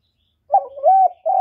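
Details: Brief spotted dove coo for luring wild doves to the trapping spot: a single wavering, low, mellow phrase sliding into a sustained steady coo, with nothing else audible.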